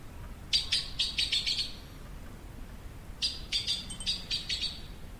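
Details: An azure-winged magpie (Cyanopica cyanus) calls, giving two quick bursts of five or six harsh, rasping notes separated by a short pause, over a faint low rumble.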